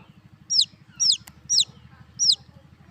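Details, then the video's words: Baby chicks chirping: thin, high, downward-sliding peeps repeated about every half second over a steady low pulsing hum. "Baby Chicks Chirping Sounds"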